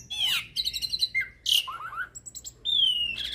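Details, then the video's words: Hybrid starling (jalak hybrid) singing energetically with a full, varied repertoire, kept as a tutor to teach magpie-robins and kacer birds: bright chirps, rapid fluttering notes, a trill of falling slurs, then a long clear whistle sliding slowly downward. "Masteran Jalak Hybrid Gacor Full Isian Untuk Masteran Burung Murai, Kacer"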